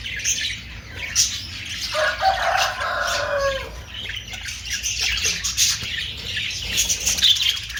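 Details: Budgerigar chatter of busy, scratchy twittering and squawks. Midway, a lower, drawn-out harmonic call from another bird rises over the chatter for about two seconds, then the high chirping carries on.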